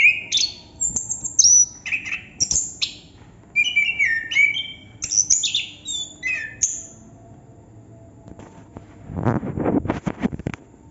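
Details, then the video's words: Chestnut-capped thrush (anis kembang) singing a string of high whistled and slurred phrases for about seven seconds, then quiet, followed by a low broadband rustling or scraping noise near the end. "Burung Anis kembang / Plontang Ngerol Non stop durasi panjang"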